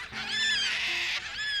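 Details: Wild Yellow-tailed Black Cockatoos in Australia, a flock feeding in trees, give drawn-out, wavering, harsh wailing chatter calls that overlap and bend up and down over a faint low hum.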